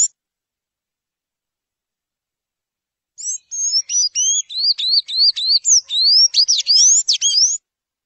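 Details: Sayaca tanager (Thraupis sayaca), song.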